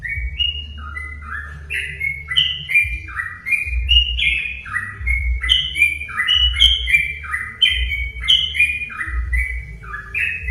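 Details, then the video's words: Sooty-headed bulbul singing a string of brief, chortling whistled notes that step up and down, played to provoke other bulbuls to sing. A steady low background rumble runs throughout. "pancingan burung trucuk"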